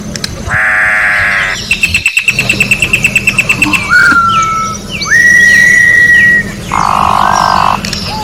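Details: Orange-backed troupial song in nature: a nasal buzz, a rattling run of high notes, then several clear whistles, one falling and others rising into a long steady tone, closing with a second buzz.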